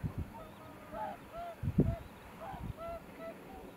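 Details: Cormorant colony during the breeding season: a few low, guttural croaks, one louder near the middle, under repeated clear, higher calls from other birds.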